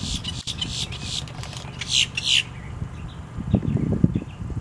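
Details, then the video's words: Boat-tailed grackle giving a run of harsh, raspy, noisy bursts over about two seconds against steady low traffic rumble; recorded October 10, 2022. "boat tailed grackle call"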